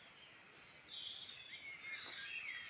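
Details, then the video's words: Wild birds singing in the Irish Midlands, a soft chorus of thin high whistles and a few rising slurred notes over a steady hiss of background noise. "Beautiful birdsong in Ireland Midland"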